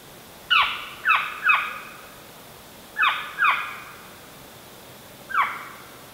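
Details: Northern Saw-whet Owl in Illinois, where it visits only in fall and winter (October–March), giving its whining call: six sharp, downslurred whining notes, two or three in quick succession, then a pause; faint background hiss.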